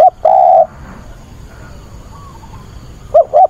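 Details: Decoy spotted dove calling for a mate on a 24 August weekend: a long, level coo at the start, a quiet gap of over two seconds, then two short rising coos beginning the next phrase.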